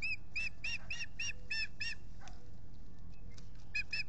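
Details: Osprey pair at their nest on Salt Point by a lake, April 19, 2021, late afternoon, courting and building the nest: a rapid run of about seven sharp whistled chirps, then a short burst of three more over a steady low rumble.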